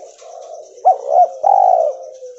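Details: A single cooing phrase from a cotton-white albino spotted dove. Two short mellow coos are followed by a longer coo that trails off, over a faint, steady high-pitched ticking.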